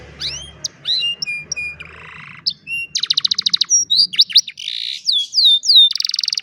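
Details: Singing old canary heard in the afternoon: curved whistled notes, a low buzzy rattle, then fast rhythmic trills, swooping whistles and a closing rapid trill, against faint low background noise.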